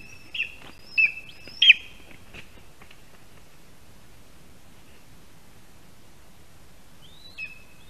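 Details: Lesser spotted eagle male at a Latvian nest in a spruce, calling and waiting for his mate after delivering a mouse on an August morning in 2021. Three high whistled yelps come quickly, then a long quiet pause and one last call.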